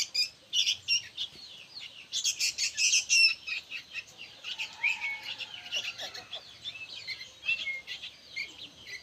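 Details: Young sooty-headed bulbuls make a loud racket of rapid, harsh chirps that peak in a dense burst, then continue as softer, scattered chirping with thin whistles.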